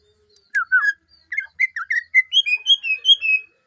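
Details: Greater green leafbird, or cucak hijau, giving a lively run of clear whistled notes, rising in pitch through the phrase, delivered rapidly and fairly evenly.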